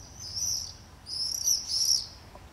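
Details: Nesting common swifts screaming in a group over a street in Beek Ubbergen, the Netherlands, summer 2012; two bursts of harsh, very high, buzzing screams from several birds, separated by a brief lull.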